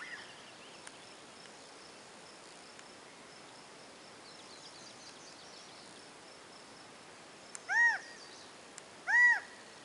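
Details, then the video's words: A quail silhouetted on a tree branch gives two loud, ringing calls near the end, each a quick note that rises and falls, over a low background hiss. "Quail Calls"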